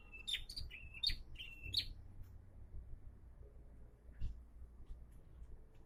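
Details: Bar-winged prinia, now becoming an eager singer, opens with three fast phrases of level whistles, each ending in a sharp rising tick, packed into two seconds before falling quiet amid low background rumble.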